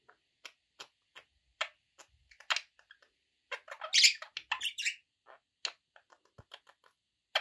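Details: Indoor pet budgies giving scattered short chirps, then a louder burst of scratchy squawking chatter, and sparse chirps again.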